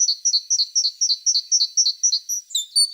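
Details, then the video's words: A tit repeats a clear two-note phrase, high then lower, about three times a second, ending in a few sharper notes. "The sound of a tit singing"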